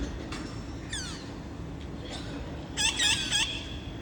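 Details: Parrots visiting at 5:20 pm on 30 August, a scout calling others in: a single downward-slurred screech, then a rapid burst of three harsh nasal squawks, over faint steady hum.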